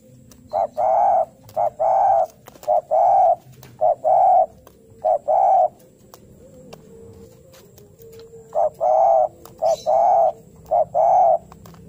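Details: Spotted dove giving a fighting call while looking for a rival: mellow, hollow coos grouped in twos and threes and repeated steadily, over a low background hum and faint clicks.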